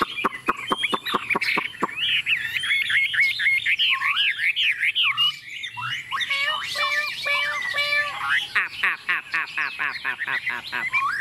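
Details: Tame Chinese hwamei singing boldly on a table: a string of sharp clicks, then rich looping whistled phrases, ending in a fast run of repeated clipped notes.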